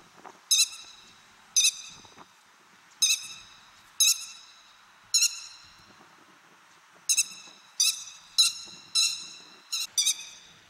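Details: Grey-headed lapwing in Japan's farmland, grassland or waterside habitat, giving loud harsh rasping notes, single at first roughly every one to one and a half seconds, then quicker in a run of closely spaced strident calls.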